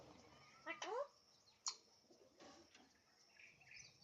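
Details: Alexandrine parakeet talking: one loud harmonic sweep dropping in pitch just before the one-second mark, then only faint, scattered chirps and low room noise.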